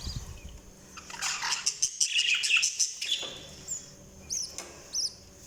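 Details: Budgies give a dense burst of high, scratchy chirping and warbling, then a pause followed by a few separate sharp, high chirps.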